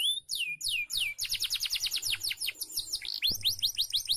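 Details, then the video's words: Caged canary singing, a training recording for other birds; two rising whistles open a brisk series of repeated downward sweeps that blur into a buzzy roll, ending with clear upswept notes over a low hum. "MASTERAN KENARI PALING DI CARI!!"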